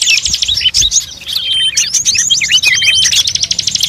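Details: Bird lure recording said to mix many bird types, including cimblek, kacer, murai, cucak ijo, cendet, srigunting, prenjak, kutilang and jalak; dense overlapping high chirps, trills and whistled slurs run without pause, with a few long thin tones.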